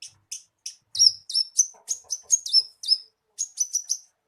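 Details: Javan bushlark lure song for a captive bird: a few sparse thin notes, then a quick string of bright, downslurred high chirps with brief pauses between groups.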